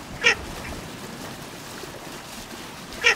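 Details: Two isolated harsh quacks from Baer's pochard, one at the start and one at the end, separated by nearly three seconds of quiet hiss.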